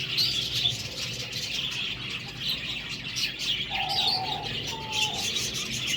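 Budgerigars chatter continuously in a busy, high-pitched warble of chirps and squeaks.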